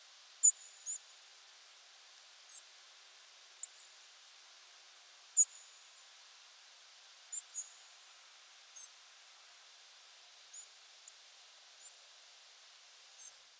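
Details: A group of European Robins migrating at night, early October 2022 at 4:20 am, give very high, piercing, short calls under about 90 ms, scattered irregularly about every second or two over a quiet background.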